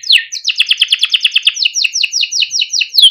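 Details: Timbrado canary singing a training song: a fast, evenly pulsed trill of bright repeated notes, about six per second, sliding slightly downward in pitch toward the end, with a sharp opening descending note.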